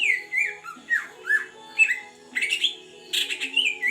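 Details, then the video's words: Wild-caught Greater green leafbird from the forest of Beutong, Aceh, after a month in captivity, in full song: sliding whistles and falling slurs, then harsher scratchy bursts toward the end; a low steady hum underneath. "burung cucak ijo Big asli hutan aceh beutong rawatan satu bulan gacor door"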